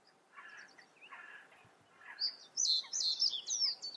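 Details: Common reed bunting singing: after a quiet start with softer chirps lower down, a loud burst of high, jangling notes repeats in quick, uneven bursts through the last second and a half.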